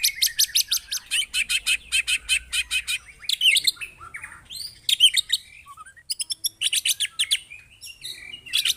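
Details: White-rumped shama (murai batu) singing harsh, forceful bursts as a provoking lure: fast pulsed phrases repeated several times a second, broken by brief pauses, then a rising whistled slur and more rapid chattering.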